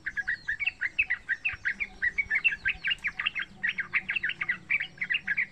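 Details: Lively unbroken chatter from a young Yellow-vented bulbul, about three months old, in wild style, offered as a master sound for other birds to copy: fast, even run of bright bubbling notes.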